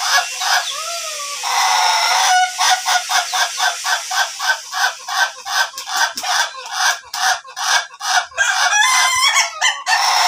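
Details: Ayam Ketawa chicken of the long-duration crowing type, crowing during training; rapid run of short, harsh, laughing syllables after a noisy, music-like opening, with a brief strained note near the end.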